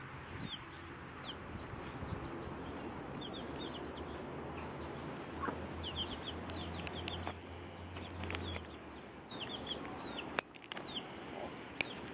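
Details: Chicks feeding alongside their mother hen; bursts of shrill downward-sliding peeps recur irregularly, with a few sharp clicks and knocks and a low steady hum in the background.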